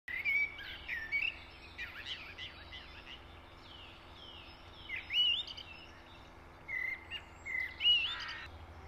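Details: Eurasian blackbird singing: mellow whistled phrases that warble and slur, each ending in higher squeaky twitters, given in bursts about every few seconds against a low steady hum.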